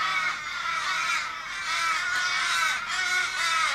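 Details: Sydney, Kellyville, 1 July 2012: 15 or more Australian ravens circle an injured raven, possibly hit by a car, in a street. They appear distressed and give harsh, drawn-out, overlapping wailing caws that rise and fall without a break.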